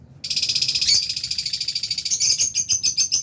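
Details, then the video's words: Flock of albino and Fisher's lovebirds in an aviary, eating, with a continuous dense chorus of shrill, high chattering chirps pulsing rapidly throughout. "Lovebirds Chirping Sounds"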